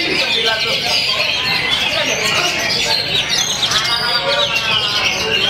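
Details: A captive Oriental magpie-robin (kacer) sings calmly on its hanging stand, pouring out a dense, varied song of bright, high whistles and chattering phrases that unload its repertoire, with human voices talking underneath.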